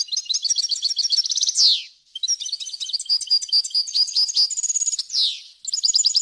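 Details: Clean tutor song of a European goldfinch in the varied wild-language style, made for teaching chicks: fast tinkling twitters and trills run on continuously, punctuated twice by a descending buzzy swoop, with only a brief gap between runs.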